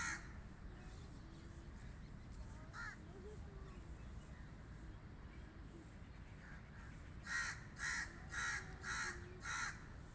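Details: People talk in Hindi with faint crow calls, then a crow bursts into five loud, harsh caws in rapid regular rhythm over low background rumble.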